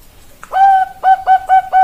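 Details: Perkutut Bangkok, a zebra dove: one long steady coo followed by four short evenly spaced coos, clear and close.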